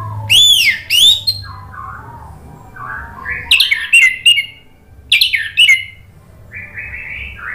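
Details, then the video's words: Orange-headed thrush song, used as a lure to get a silent bird singing. Loud bursts of shrill, sliding whistled notes alternate with softer, lower warbled phrases and a steady low hum beneath. "PANCINGAN ANIS MERAH agar BUNYI jadi NYAUT GACOR NGEPLONG | TERAPI MACET"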